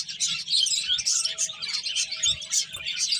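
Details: Several finches eating and playing, giving a dense, continuous chatter of high, quick chirps and twitters that overlap with no pause, over a faint steady low hum.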